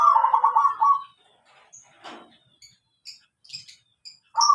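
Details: Zebra dove, known locally as perkutut, in a slow style: a bubbly, warbling coo lasting about a second, then a pause with faint high chirps and ticks, and the coo starting again at the end.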